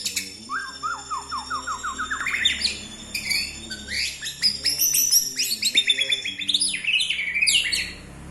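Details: White-rumped shama lure song used to make a caged bird start singing quickly: a rich, varied run of rising whistled phrases, rapid trills and high sweeping notes, over a faint low hum.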